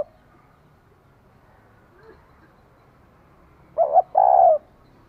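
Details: Female spotted dove calling to stimulate a male, giving a single low cooing phrase: a short doubled note followed by a longer, slightly falling coo, after several seconds of quiet background.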